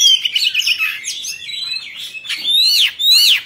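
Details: Oriental magpie-robin, a caged songbird, singing a varied run of clear whistled phrases: warbling notes around the middle, then two loud rising-and-falling whistles near the end.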